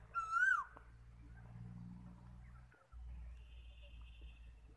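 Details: One brief, loud koel whistle opens the recording, rising then falling. A steady low hum and faint background noise continue after it.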